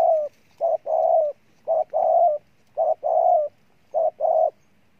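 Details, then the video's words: Wild-caught spotted dove cooing strongly: four phrases, each a short coo followed by a longer, steady low coo, repeated about every second in a clean, quiet recording. "Con Bổi Gù Trâu Bò nhất năm"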